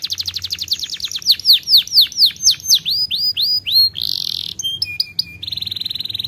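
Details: Canary song opening with a rapid high roll, moving into slower loud downslurred whistles about three per second, then a harsh buzzy burst, sharp chips and a closing fast metallic trill.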